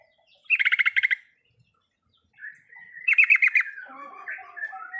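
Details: Riwikan song of a yellow-vented bulbul (trucukan), meant to coax a quiet bird into singing. Two rapid bubbly bursts of repeated chattering notes are separated by a pause, then softer warbled notes trail off.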